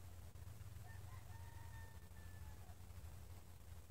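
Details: Rooster crowing on a farm in the morning, one of many roosters there crowing over and over; a single faint, drawn-out crow of about two seconds, held at a steady pitch, heard distantly over a constant low rumble.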